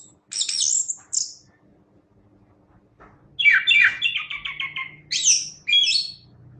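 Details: Chestnut-capped thrush in energetic song: two high squeaky bursts, a pause, then a rich warbled series of descending notes followed by two sharp high chirps, with faint low hum underneath.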